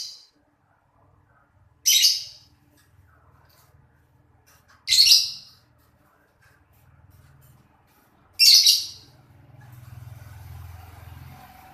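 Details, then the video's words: Afternoon chirping from a pair of lovebirds: four short, harsh, screechy calls spaced roughly three seconds apart, with a faint low rumble in the background toward the end. "Love bird"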